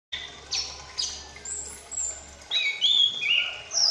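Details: Young caged chestnut-capped thrush, ringed, just past its spotted juvenile stage, twittering actively while learning to sing its full song: high sharp down-slurred notes, then a louder run of varied whistles and warbled chirps near the end.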